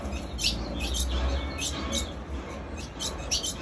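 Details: Female ultramarine grosbeak calling without pause: short, sharp high chip notes at irregular intervals, a few close together, over a steady low hum and a constant faint high hiss.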